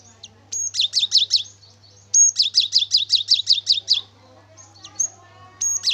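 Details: Cinereous tit (gelatik batu) singing actively, a recording meant as a lure to get other birds singing: high, sharp two-note phrases repeated quickly in two bursts of about six to eight, with short pauses and a steady low hum.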